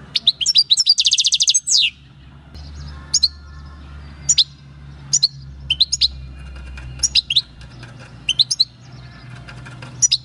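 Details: Wild-caught European goldfinch, captured at El Paso in 2018, singing its natural field song on 22 March 2020: an opening twitter and fast buzzy trill, then widely spaced single high chirps and short twittered pairs.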